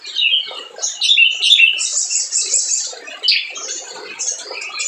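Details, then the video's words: Lively spiderhunter song meant to goad quiet birds into singing: quick high-pitched squeaks and chattering chirps, with a buzzy, sustained high trill in the middle. "SUARA SOGON GACOR"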